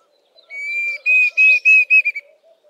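Diederik cuckoo singing: a long, clear whistle, then five quick whistled notes that shorten and speed up, 'dee-dee-dee-deederik'.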